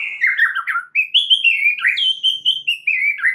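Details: White-rumped shama singing a rich, fast, continuous warble of wavering whistles and slurred phrases, a prompting song meant to get other birds to sing; no other sounds.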